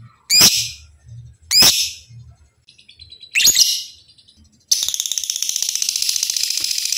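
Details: Lovebird kept for song training: three harsh, rasping shrieks about 1.3 seconds apart, with soft twittering between them, then a dense, rapid, buzzy 'ngekek' trill that runs on to the end.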